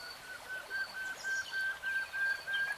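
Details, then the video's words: Common nightingale song: a steady run of short, pure whistled notes held on one even pitch, about three per second, with faint higher chirps and twitters in the background. "BEST NIGHTINGALE SONG 3 Hours REALTIME Nightingale Singing"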